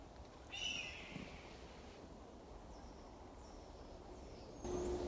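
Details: A calling red-tailed hawk on a riverside forest trail in the Lethbridge Nature Reserve gives a brief, harsh, high scream, with fainter thin downslurred notes after it, over steady outdoor hiss and a closing rustle.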